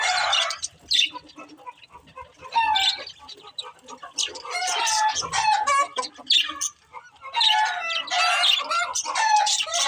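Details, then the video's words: Several pet budgies chirping in a dense, chattering flock chorus of short scratchy notes and warbles that come in bursts, with brief pauses near two and seven seconds. "Cute Budgies Chirping Sounds"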